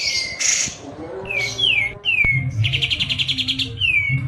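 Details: Medan-type white-eye singing actively in a rolling, shooting style: sharp descending whistled slurs and buzzy notes, broken by a quick run of rapid high chirps, with a low background hum.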